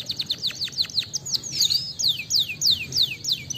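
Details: Canary song used as a lure to prompt singing: quick high downslurred whistles followed by slower, longer sweeping notes repeated about every third of a second, clear and loud over low background hum.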